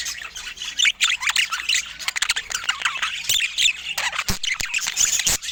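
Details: Budgerigars filmed in natural Scandinavian light: busy, harsh chattering squawks and chirps from several birds, tightly packed, with a few sharp clicks or taps late on.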